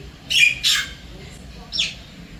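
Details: Wild Javan myna at an apartment in Singapore calling its mate: two harsh squawks close together, a pause, then one more descending rasp.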